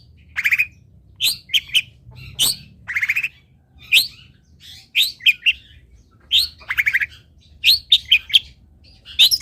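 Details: Long-tailed shrike song used to teach other shrikes: a varied, busy medley of harsh chattering trills, squeaky rising notes and sharp chips, delivered almost without pause.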